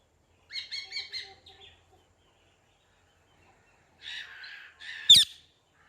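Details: Parrot producing a stuttering string of harsh chattering notes, falling silent for two seconds, then a buzzy grumble capped by one piercing squawk.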